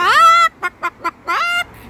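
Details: Pet Moluccan cockatoo out on a walk, giving its chicken-like 'bok bok' or 'buck buck': a long harmonic-rich call, three short clipped notes, then another long call, all within two seconds.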